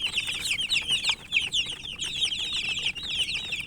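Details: Chicken chicks chirping as they eat, loud close high-pitched peeps in quick overlapping bursts, a few brief gaps between runs.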